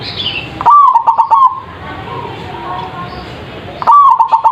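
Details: Lure song of a zebra dove, meant to draw wild birds into answering and described as loud: two quick stuttered cooing phrases, a short upward-flicked note then several clipped beats, separated by noisy hiss.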